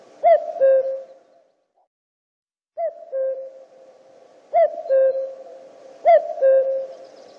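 A common cuckoo gives four clear two-note 'cu-coo' calls, the second note lower, spaced one and a half to two seconds apart against a quiet background.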